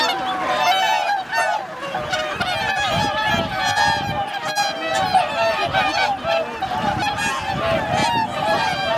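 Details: Wintering swan flock at Lake Hyoko, a Ramsar wetland in Agano, Niigata, Japan, on 8 January 2022, with 2628 swans counted: a dense, continuous chorus of overlapping nasal honks, some rising and falling, with ducks also present.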